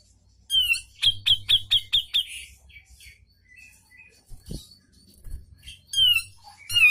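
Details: Grey-cheeked bulbul tutor song: slurred downward whistles, a rapid run of about seven sharp repeated notes, softer chattering, then more descending whistles with a low knock in the background.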